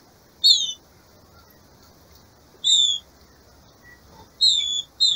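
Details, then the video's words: Captive female green-winged saltator in breeding season, calling to stimulate the male: short, sharp, high chirps with a slight downward slur, given singly or in pairs about every two seconds against quiet background hiss. "SEU TRINCA FERRO VAI CANTAR MUITO EM 10MINUTOS"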